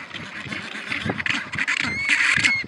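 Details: Penguins calling: harsh, nasal honking notes run together for under three seconds, ending in a thin, high whistled squeal against a busy, noisy background.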